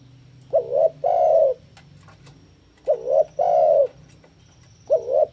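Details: A spotted dove singing to lure and train doves. Two complete phrases, each a quick wavering coo then a drawn-out coo, are followed by the start of a third, over a faint low hum.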